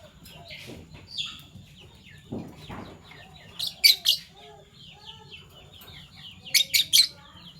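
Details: Fischer's lovebirds, PB Violet and Euwing Gold Opaline, in the morning: two clusters of sharp, shrill high chirps stand out over soft, steady background twittering from other birds.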